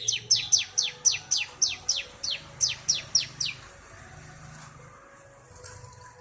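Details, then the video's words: A three-month-old Bar-winged Prinia (Prinia familiaris) gives a quick run of about fourteen sharp, high notes, each dropping steeply in pitch, at roughly four per second, then stops. "ciblek umur 3 bulan mriwik nembak"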